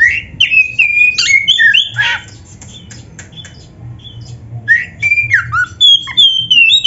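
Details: Oriental magpie-robin song for training birds: loud whistled and harsh squawky phrases, a quiet gap of about two seconds, then more sliding whistles ending in high clear notes.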